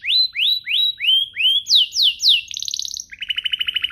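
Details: Canary song aimed at stimulating other canaries to sing: slow series of rising whistled slurs, then falling sweeps, a rapid high trill and a lower fast rattle to finish.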